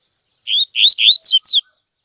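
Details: Double-collared seedeater singing the tui tui song style for training young birds: three smooth rising whistles then two clipped descending notes, with a faint steady high-pitched tone running throughout.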